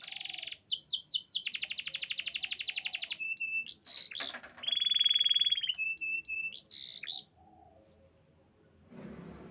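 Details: Canaries sing a varied song: sweeping high notes leading into a long rapid trill, brief flat whistles, a loud sustained buzzy trill, then more swooping whistles before quiet, with a faint rustle at the end.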